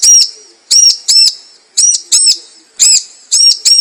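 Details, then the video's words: Bar-winged prinia lure recording used to attract birds: sharp, arched chirps, each a quick rise and fall, given in doubled pairs with short pauses between, about eight notes over four seconds, on a quiet background. "suara pikat ciblek"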